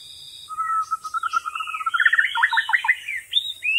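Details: Wild white-rumped shama in full song, a sustained series of rich whistled phrases that climb from low steady notes into quick rising and falling slurred notes, ending in sharp upward whistles.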